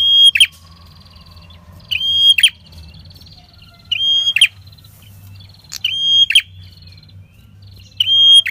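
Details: Red-headed prinia in continuous song, recorded as a lure for trapping wild prinias: five phrases roughly every two seconds, each a thin steady whistle ending in a rasping buzzy flourish, over a soft low hum.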